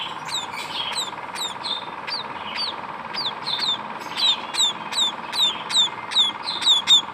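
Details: Young munias give high, thin chirping notes that start sparse and quicken into a steady run of sharp downslurred peeps toward the end, over a constant low hum.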